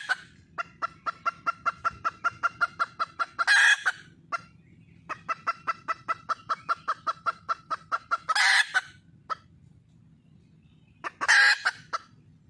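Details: A wild red junglefowl hen calls for a male mate with long runs of quick, regular clucks, each run ending in a loud rasping squawk. Three bursts with brief quiet gaps between them.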